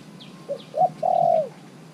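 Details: Caged spotted dove, three months in the cage, used as a decoy to call wild doves: two short soft notes rising in emphasis, then one long, even, low coo that falls at the end. A faint high chirp sits in the background.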